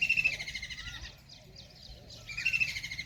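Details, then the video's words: Riverside kingfisher in Ranthambore National Park, Rajasthan, sounding two brief, grating, rattled trills at the start and end of a short quiet pause, against soft low rumbling noise. "Kingfisher bird Sound"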